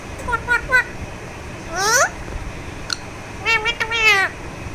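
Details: Massaged pet Alexandrine parakeet making short nasal chirps, one rising drawn-out squawk, then a fast run of harmonic notes ending in a harsher screech.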